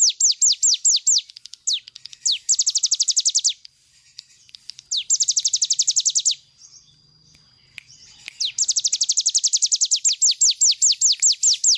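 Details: Cigun bird's 'nembak' song for tutoring other birds: quick high falling notes, then dense rapid bursts of whistles separated by short quiet gaps, ending in a long fast run of sweeping notes.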